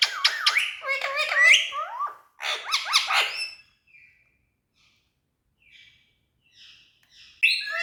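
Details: Tame talking ringneck parakeet producing loud bursts of looping, squeaky chatter and whistled notes, followed by a near-silent stretch with faint soft notes before another harsh call at the end.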